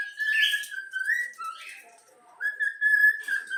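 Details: Young yellow-cheeked cockatiel whistling part of the Flamengo anthem: clear, steady whistled notes held level, a brief dip and rise, a pause, then another long sustained whistle.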